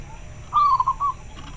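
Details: Local zebra dove giving one clear, short phrase of soft, rolling cooing notes, a quick trill-like run of mid-pitched beats over about half a second, against a faint low background hum.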